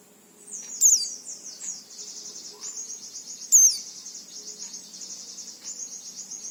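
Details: Shrill oriental white-eye song intended to trigger singing in untrained white-eyes: a continuous high rippling trill of rapid slurred notes, broken by two loud sharp chips about three seconds apart.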